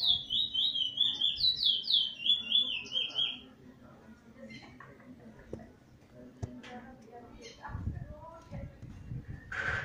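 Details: A wild plain-brown chestnut-bellied seed finch (Trinidad bullfinch, no spot) on 11 January 2020 sings a "weet teeture" roll: sweet, rapid whistled notes for about three seconds, then scattered soft chirps over faint background voices.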